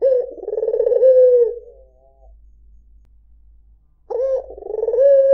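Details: White Barbary dove ('puter putih') giving two low, rolling coos with a purring, pulsed centre and a falling end, separated by about two and a half seconds of near silence.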